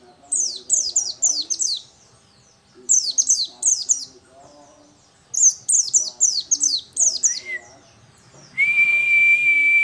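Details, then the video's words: Local dakun Oriental white-eye in vigorous song: three phrases of rapid, high, descending chirps, each five or six notes, then a steady mid-pitched whistle-like tone rises and holds at the end. "Pleci dakun lokal gacor"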